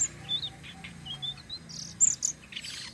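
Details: Flowerpecker song used to attract other birds: a few very high, thin, piercing notes, short and spaced, with two brighter sharp chips near the end over a faint low hum.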